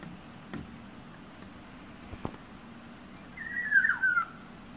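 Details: An oriole singing outside a bedroom window, a bird that also taps on the glass, gives one brief, fluty, liquid whistled phrase near the end, with two faint taps earlier against a quiet background.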